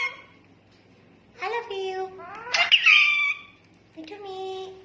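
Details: Indoor rose-ringed parakeet imitating talking. Several speech-like bursts with steady tonal bands, a harsher high squawk in the middle, then another smooth, voice-like phrase.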